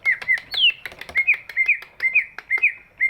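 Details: Large greater green leafbird whose song is used to coax reluctant birds to sing, giving clear whistled notes spaced evenly, each with a quick upward flick and one longer falling slur early on.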